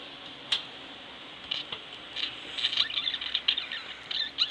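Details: Pet budgerigars at home give quick, rattling, scratchy chirps that build in density toward the end, with a sharp click early on.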